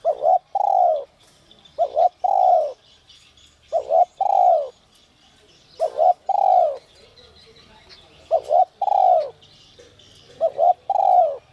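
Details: Spotted dove, whistle-voice (giọng còi) singer used as a lure for wild doves, giving six steady phrases, each a short double coo and a longer downslurred note, about one every two seconds, with thin twittering of other birds faintly behind.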